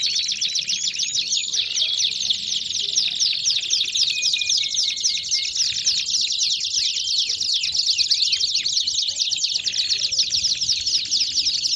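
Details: Belgian canaries in full song, a packed, shrill stream of fast chirped trills with short sliding whistles, steady and unbroken throughout, many birds overlapping.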